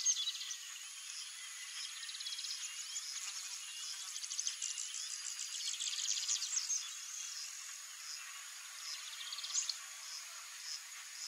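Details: Lined seedeater, known locally as bigodinho, delivering rapid high, scratchy twittering phrases of dense chattering notes that swell in the middle and return briefly near the end, over a constant thin high-pitched whine.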